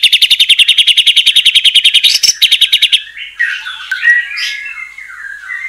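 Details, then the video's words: A white-rumped shama delivers a rapid, evenly repeated high trill for about three seconds as a lure song to make other shamas sing, followed by lower, jumbled chattering notes. "murai batu gacor AMPUH buat PANCINGAN murai batu agar bunyi"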